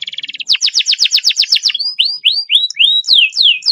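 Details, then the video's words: Canary with a fast long roll, used to stimulate canaries that are hard to get singing: a brief high trill, then a rapid run of steep falling sweeps, followed by slower arching whistled notes repeated about three per second. "masteran kenari roll speed panjang cocok buwat pancingan kenari susah bunyi"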